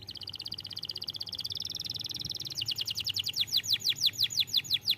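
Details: Canary song used as a lure to make young canaries sing: a fast buzzy trill of high repeated notes that switches to slower, louder descending whistled sweeps, about two per second.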